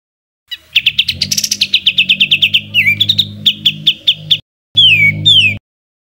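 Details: Bird sound in the 'tembakan kasar' style used to tutor cage songbirds: a fast stuttering chain of sharp notes, a dipping slurred phrase, then more rapid chips and two downward-sweeping whistles over a low steady hum.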